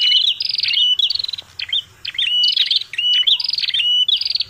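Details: Noisy calling of a prinia known locally as prenjak kepala merah, used to lure birds: dense buzzy rattles broken by brief clipped whistles, in several fast bursts with one short gap near the middle.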